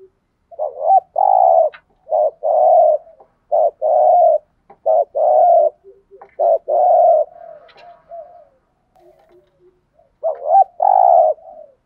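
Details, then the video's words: A decoy spotted dove, used to urge wild doves to coo back, gives a quick run of about seven coo phrases. Each phrase is a brief wavering note and then a steady coo, with soft murmurs after them. "chim cu gáy mồi bài bản thúc gù kích bổi xiêng gáy theo cả ngày"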